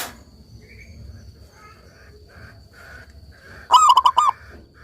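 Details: Local zebra dove in full voice, one crisp phrase of four or five rapid staccato coos near the end, preceded by faint, scattered chirps in a quiet background.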